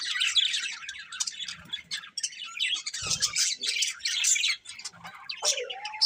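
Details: Colourful budgerigars, a breeding pair, with busy scratchy chattering and quick high chirps, a soft thud midway, and a rising whistled note near the end.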